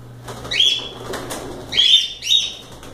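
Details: Cockatiels loose in a room while playing: a loud whistled call, a pause, then two more rising whistles close together, with faint rustling between.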